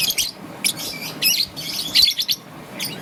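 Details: Peach-faced lovebird, a young green-and-yellow bird heard in the morning, giving short buzzy high chirps in separate bursts roughly every half second, with quiet stretches and low background hum.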